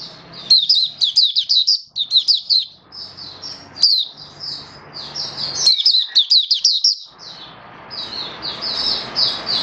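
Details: Oriental white-eye kept as a hobby bird, singing 'buka sing raja' on 21 October 2022: fast high chirping runs, then softer thin twitters, over a noticeable broad background hiss and low hum.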